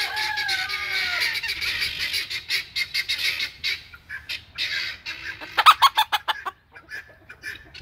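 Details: A Sebright rooster (Gallus gallus domesticus) gives a short falling squeal, then a rapid run of harsh, raspy clucks, several each second, rising to a louder burst near the end.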